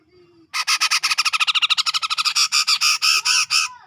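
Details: Sumatran grey-cheeked bulbul from tropical forest around Medan, singing the chattering ngepik style used to train caged birds: a rapid run of rasping, grating notes, tightly packed, then slightly slower and evenly spaced toward the end.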